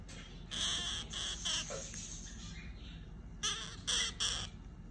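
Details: Loud, raspy screeches from a pair of orange-fronted parakeets come in two clusters of three short bursts, with a lower squeaky note between them.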